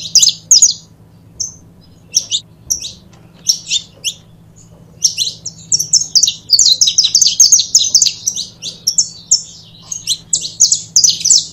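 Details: Saffron finch pair giving scattered high chirps that build into a dense run of rapid, bright trilled notes in the second half, a low steady hum in the background.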